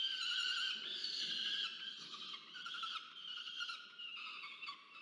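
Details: Peregrine falcon chick begging a parent for food at a nest camera, Charles Sturt University, Orange, New South Wales, Australia, 13 November 2022: continuous harsh, harmonic wailing screams, slightly wavering in pitch, running almost unbroken for five seconds.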